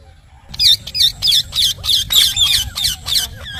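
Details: Ringneck parrot kept as a pet giving a series of about nine sharp, harsh squawking calls, roughly three per second, loud and evenly spaced after a short quiet start.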